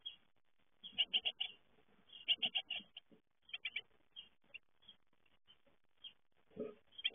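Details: Young great tits leaving the nest: bursts of rapid, high, scratchy chirps in short clustered runs with pauses between, some softer scattered notes, and a low muffled thump near the end.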